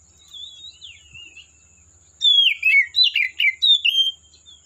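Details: Wild Oriental magpie-robin in forest: soft wavering whistles at first, then a loud rapid series of sharp descending whistled and chattering notes, about seven bright phrases in close succession.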